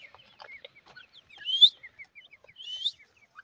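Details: Grey francolin chicks: a string of soft, evenly spaced high peeps, broken twice by a louder, longer upslurred whistle about a second apart.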